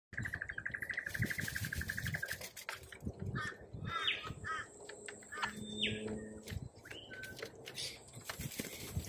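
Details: Australian corellas give harsh, grating screeches and rapid chattering, several birds calling over one another, with low rumbling wind noise underneath.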